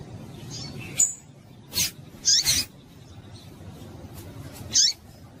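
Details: Female Double-collared seedeater call, known as papa-capim, used to stimulate males into singing. Several short, thin, high chips come at irregular intervals, some slurred downward, mixed with brief clicking noise bursts over quiet background hiss.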